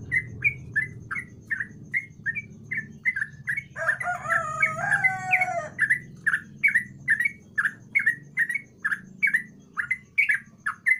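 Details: A Yellow-vented bulbul song, played to prompt a quiet bulbul into singing: short bubbly chirps over and over, about two a second, with a brief harsher, fuller phrase midway over a low background rumble.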